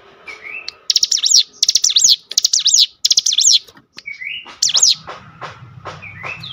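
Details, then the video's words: Cinereous tit song meant to provoke other cinereous tits to sing: a run of four loud, rapid zigzag phrases, then scattered short rising whistles, with a low drone near the end. "spontan emosi Cigun manapun langsung gacor dengan pancingan ini"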